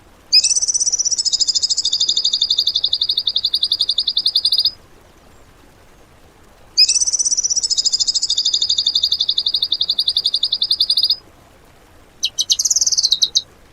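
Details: Tembakan bird song material for training cage birds: two long buzzy high trills, each about four seconds with a slightly higher opening, separated by quiet, then a brief harsh burst.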